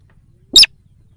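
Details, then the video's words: Single sharp, raspy squeal from a sintar sawah lure recording meant to bring wild birds closer, rich in high harmonics, with soft low hum around it. "Suara pikat sintar sawah||sintar liar auto nyamperin"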